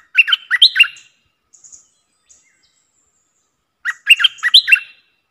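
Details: Streak-eared bulbul used as a lure bird: two bursts of bright, bubbly chirping notes, each about a second long, separated by a few seconds of silence with faint high ticks.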